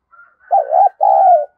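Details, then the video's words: Spotted dove in thổ voice style cooing: a faint thin whistle, then two firm mid-pitched coos, the second longer and gently falling. "cu gáy thúc gù và gáy gọi cực đỉnh"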